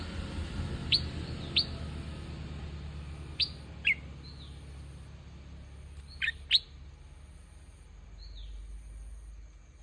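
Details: Sparse sharp chirps from a bulbul, some in close pairs and a few softer downslurred notes, separated by quiet gaps over a low rumbling background.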